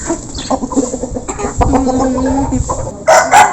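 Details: Local chickens in a flock while eating at feeding time, recorded up close: busy overlapping clucks and a drawn-out murmuring note, with scratching, pecking noise and louder bursts near the end.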